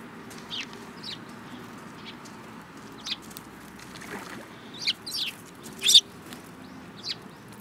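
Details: Sparrows in a group, one with a yellow beak, recorded 25 February 2018: scattered short high chirps at irregular intervals over a steady low background hum.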